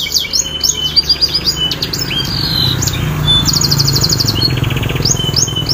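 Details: Lure song of a canary for a bird that has stopped singing. Quick chirps and downward slides, then a bright rapid trill, over a steady low rumbling hum.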